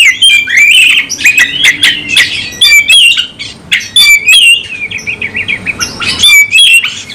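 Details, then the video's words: Oriental magpie-robin in fighting mode, singing a full repertoire: a busy, continuous stream of warbled whistles, clicks and short rising and falling notes, loud throughout with only brief dips. "KACER LANGSUNG TARUNG ngotot bongkar emosi full materi"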